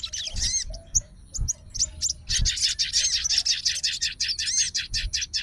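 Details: Excited sooty-headed bulbul fighter calling out an opponent: a few scattered chirps and upswept whistles first, then a steady run of rapid, rasping twittered notes, roughly two per second, over faint low knocks.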